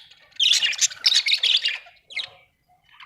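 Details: Budgerigar gives a loud, rasping, high warbled phrase of about one and a half seconds, then a short softer chirp and quiet.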